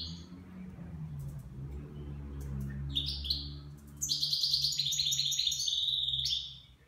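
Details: Nine-month-old goldfinch singing in the Levantine style; scattered high chirps build into a dense, bright twittering run of rapid liquid notes during the second half, then stop, over a steady low indoor hum.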